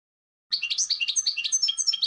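A goldfinch gives fast, tinkling, liquid twitters, a dense run of high chirps and trills beginning after a short silence, over a faint steady tone.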